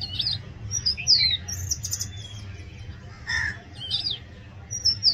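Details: Oriental magpie-robin song: scattered bright whistles sliding downward, a few harsher chirps and a pause mid-phrase, with a steady low hum underneath.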